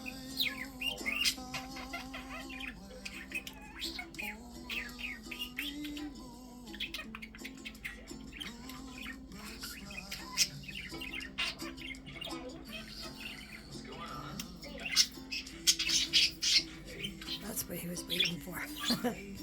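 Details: A budgerigar with a splayed leg, rocking and talking while standing on one leg, chatters in fast, scratchy warbles and chirps, with low steady music underneath.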